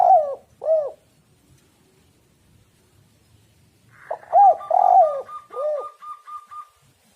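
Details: Spotted dove cooing to lure birds into calling: two arched coos, a pause, then a longer series of hollow coos. A steady thin whistle-like tone runs above the series near its end.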